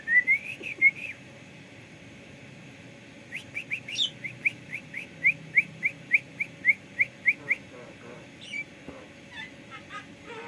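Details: Clever Javan myna, said to imitate coughing and a cockerel's crow at dawn prayer time; here a run of about a dozen short, rising whistled notes at a steady pace, preceded and followed by scattered squeaky, buzzy notes.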